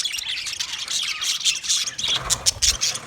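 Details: Budgies chirping and squawking in overlapping high notes, the chatter growing choppier and louder in the final second, with a soft low thud midway.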